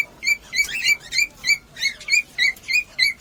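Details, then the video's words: Cockatiel sound played to encourage mating: short chirped notes with bright overtones, repeated about three times a second in an even rhythm, with a brief burst of overlapping chatter near the middle. "مقطع لتحفيز طيور الكوكتيل على التزاوج"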